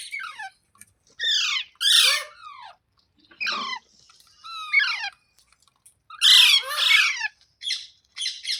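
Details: Green parrot talking in scratchy, high squawks and squeaks: short descending harsh notes in separate bursts, a few louder shrieks, quiet gaps between phrases indoors.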